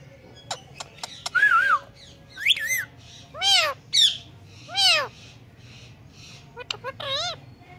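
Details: Talking pet Indian ringneck parakeet imitating a cat's meow: sharp clicks, then four or five loud arched meow-like calls spaced about a second apart, with a wavering whistle and faint speech.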